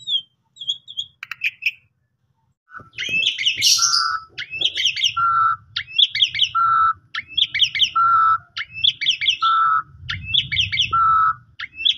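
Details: Asian pied starling (jalak suren) song played to rouse a sulking or stressed bird: a few scattered notes, then a harsh burst and regular phrases of rapid chirps closing with a level whistle, over faint low rumble.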